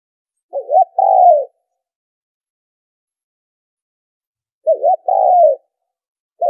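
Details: Spotted dove coos for luring birds into a trap: a wavering short coo and a longer smooth coo, repeated after a four-second silence, with a third phrase just beginning at the end.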